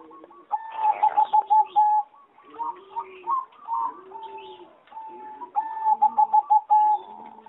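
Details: Aviary recording from 26 April 2014 of a singing zebra dove bred for competition: fast stuttering coo sequences opening and closing the passage, with lower cooing from other doves and assorted chirps in between.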